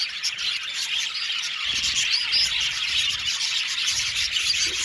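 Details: Seventy pairs of budgerigars in an aviary, constant high twittering chatter with a few clearer whistled notes standing out above the crowd.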